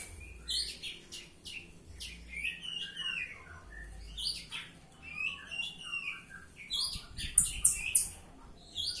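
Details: Oriental magpie-robin singing loudly in ngeplong style, a varied run of sharp chirps, quick twittering notes and slurred whistles delivered in rapid clusters, with a few louder clicking notes near the end.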